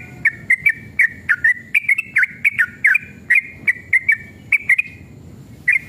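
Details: Sooty-headed bulbul male singing an excited, long rolling song meant to draw a reply from other bulbuls: clear, fluty whistled notes in quick groups of two or three, with short gaps, over faint low background hum.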